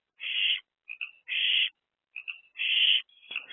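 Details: Owlet trio in a nest box, April 2024; three rasping hisses alternate with faint short chittering notes, repeated roughly every second.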